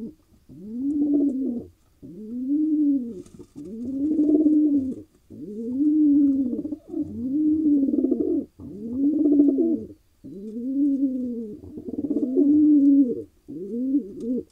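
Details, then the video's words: Low, rounded cooing from a wild male pigeon in Israel that has just found a mate: about nine arched coos, each over a second long, separated by brief silences. "He got his lady: Pigeon male happy after finally finding a mate."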